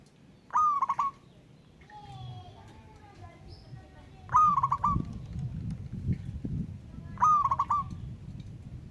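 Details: Local wild zebra dove calling a rival, repeating three coos of a sustained note and rapid stuttering beats, with a fainter whistled bird note and low murmuring noise in between.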